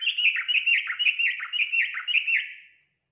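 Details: Yellow-vented bulbul song played to prompt a kept bird to sing: a lively run of bubbling, gurgling notes, each phrase dipping and bouncing back, tumbling on for nearly three seconds before fading out.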